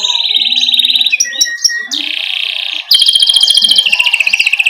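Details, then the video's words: Canary in 'ngerol' rolling song, a tutor track for young canaries. A sustained buzzy trill gives way to scattered clicks, then a second rolling trill and a bright pulsed trill with sweeping whistles. "Masteran Suara Burung Kenari GACOR Ngerol Ini Cocok Untuk PANCINGAN Kenari PAUD Ngeriwik Lekas GACOR"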